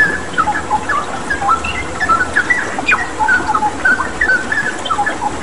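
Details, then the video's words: Straw-headed bulbul (cucak rawa) in full song, used as a training recording with water-therapy sounds: rapid, bright, warbling whistled notes tumbling one after another above a continuous rush of water. "Masteran Cucak Rawa Gacor dengan Terapi Air"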